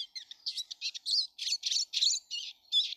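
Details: Many Eurasian siskins in a garden, March 2013: dense, high-pitched twittering, rapid chattering notes mixed with slurred twangs, run together without pause.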